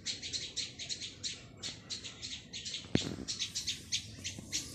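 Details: Young plaintive cuckoo keeps up a run of sharp, high, clipped chirps in tight clusters, with one loud knock-like thump midway.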